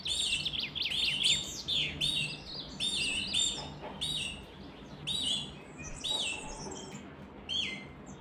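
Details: Canary singing rapid trills and chirpy rolling phrases, busiest in the opening seconds, then sparser bursts with quieter gaps, over a low steady hum.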